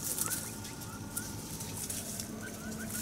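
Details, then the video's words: Taiwan hill partridges, a family of five, contentedly searching for food in Dashue Mountain National Park, Taichung City, 18 January 2021; soft, brief rising chirps at intervals over quiet rustling and a low hum. "Taiwan Hill Partridge family of 5_happily low chirping searching for food."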